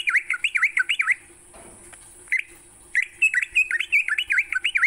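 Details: Sooty-headed bulbul in morning song meant to stimulate caged birds: fast chains of chuckling, V-shaped whistled notes, a short rustling gap, then the bubbly run resumes, all over a steady faint high-pitched hiss.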